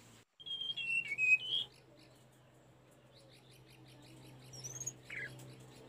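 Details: Sunda robin song used for training caged birds: a short series of clear, descending slurred whistles, then quiet, with a faint upward whistle and a brief buzzy note near the end.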